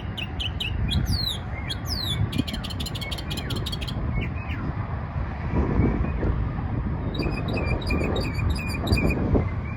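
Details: Mockingbird singing at a bridge, bursts of rapid repeated high notes and sliding whistles, then a pause and another fast repeated series, over steady loud traffic rumble.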